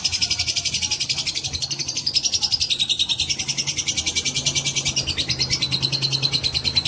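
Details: Fighter lovebird giving a long-duration ngekek trill, used as a lure to provoke other lovebirds: a continuous rapid, rattling chatter of high notes with a thin whistled tone wavering underneath, sustained for the whole stretch over a low hum.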